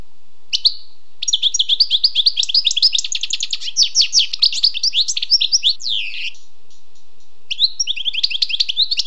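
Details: Wild goldfinch delivering a long, dense song of rapid twittering, rattling trills and nasal buzzy slurs, with a brief lull near the end before a final twittering burst.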